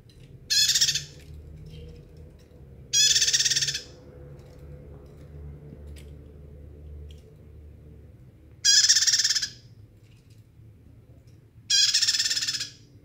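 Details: Bar-winged prinia singing loudly and often: four harsh, buzzy bursts, each under a second, pulsing rapidly, spaced two to three seconds apart over a low steady background hum.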